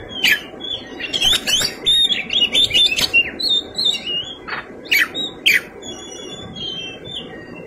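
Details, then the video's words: Oriental magpie-robin in fighting song with a rich fill, harsh squawks and sharp whistled notes in choppy bursts of about two per second, then a few loud downward whistles and softer notes trailing off. "Kacer gacor tarung isian mewah"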